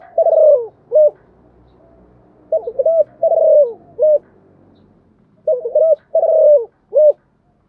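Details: Spotted dove decoy calling to attract wild doves in the morning: rhythmic cooing phrases with a long falling middle note, repeated three times over a faint low background hum.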